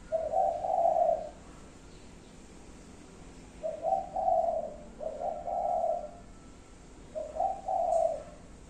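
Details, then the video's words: Soft, low coos from a spotted dove in its five-note cooing pattern, four rounded phrases with gaps of one to three seconds between them, in a quiet setting. "chim cu gáy 5 tiếng. cục... cu cu...cu ...cu"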